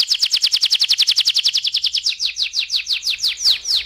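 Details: Canary singing a 'ngeroll' roll as a lure for other birds: a rapid, regular trill of high notes that gradually slows into wider, descending notes.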